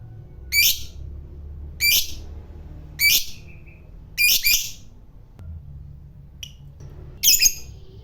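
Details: Fighter lovebird giving harsh, grating squawk bursts at irregular intervals, a few seconds apart, some doubled, over a quiet low background hum.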